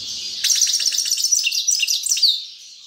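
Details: Grey-crowned goldfinch song: a rapid, jangling twitter of high tinkling notes and trills lasting about two seconds, ending in a brief downward-sliding whistle, in otherwise quiet surroundings.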